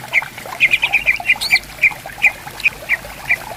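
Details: Greater green leafbirds singing back and forth in bamboo forest along a clear river: a quick cluster of ringing chips, then slower single notes, with one high whistle and a soft water murmur.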